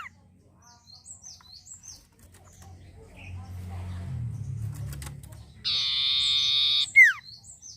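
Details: Long-tailed shrike giving rows of short, high, repeated chirps, then a loud, harsh, flat buzz lasting over a second, ending in a sharp downward-sliding whistle, over faint low background rumble.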